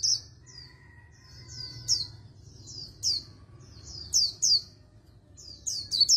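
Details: Oriental white-eye performing a fast contest-style warbling song, used for voice training and said to resemble a magpie-robin's voice: bursts of high, thin, sweeping whistled notes, often descending, in quick clusters a second or so apart, with faint steady tones and low hum beneath.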